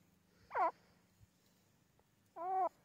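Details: Teetar or grey francolin calling with two short, rich harmonic notes, the first bending down and the second held steady, over a low steady hum.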